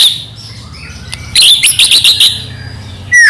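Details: White-rumped shama singing as a lure to provoke others: a run of rapid, harsh chattering notes over a low steady background hum, ending in a clear downslurred whistle.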